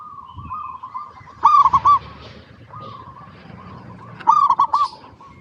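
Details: A local zebra dove sings in a lure recording meant to prompt others to answer, giving two loud clusters of four quick bubbling coos about three seconds apart, with faint steady cooing between them.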